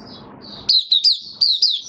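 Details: White-eye kept in a cage, singing openly on 18 May 2022 after a completed deworming course. A faint high trill with low hum gives way to five loud, sharp, high notes that fall in pitch, the last ones slurring downward.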